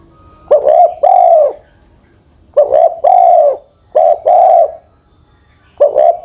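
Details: Old decoy spotted dove over ten years of age, kept for ground luring, coos in low mellow phrases, each a quick double note then a long falling hoot, four phrases spaced about 1.5 seconds apart in a quiet room.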